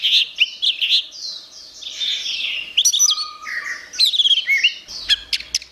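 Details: Orange-headed thrush singing vigorously, a continuous medley of loud chirps, rising and falling whistles and rapid twitters, ending with sharp clicking notes and a faint low hum.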